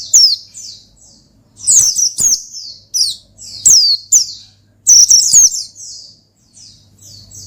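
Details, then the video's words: Oriental white-eye singing to summon and provoke a rival in ngalas style: energetic strings of shrill descending chirps in rapid bursts, softer trailing notes between, over a constant low hum. "Gacor Ngalas Manggil Lawan Perangsang Burung Pleci"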